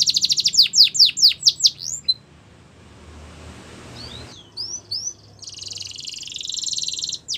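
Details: Belgian canary song for training young canaries: a quick run of sweeping chirps, a pause filled with hiss, a few soft whistles, then a steady buzzy trill.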